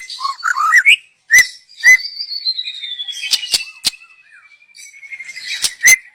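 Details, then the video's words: Song of a young forest white-rumped shama, used to lure: quick looping whistles, two sharp chips, then a long gently falling trill with clicks, ending in a loud whistle. "Kicau burung MURAI BATU Muda Hutan. Cocom untuk pancingan"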